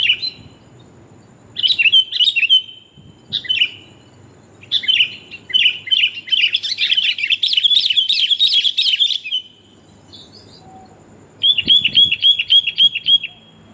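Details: Female sooty-headed bulbul calling the male, a recording used to lure birds: bursts of rapid, high chirping notes, a long busy run in the middle, then a quick repeated series of sharp chirps at the end.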